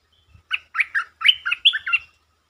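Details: Stripe-throated bulbul, a territorial resident bird being provoked, sings one tight phrase of about seven liquid, slurred notes in quick succession, sab-rik style, over near silence.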